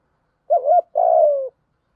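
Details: Single spotted dove call from a lure recording meant to make decoy birds coo: a short wavering low hoot, a brief pause, then a longer steady coo that slides gently downward at the end.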